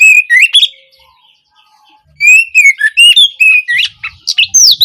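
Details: Opening song of the Oriental magpie-robin, or kacer, used to teach juvenile birds: a short whistled phrase, a pause of over a second, then a long, lively sequence of varied up-and-down whistles and chattering notes.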